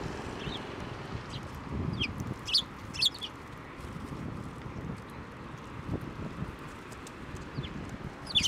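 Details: Sparrows coming to a hand for food at a Tenmangu shrine on 7 November 2023; a few loud, high chirps in short pairs, then quieter scattered calls over low outdoor rumble.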